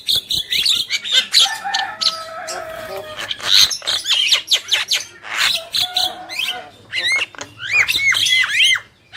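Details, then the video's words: Male and female black-winged myna call back and forth with grating squawks, buzzy rattles and, toward the end, a rapid string of looping whistled notes. "Jalak Kebo Gacor | Burung Jantan dan Betina"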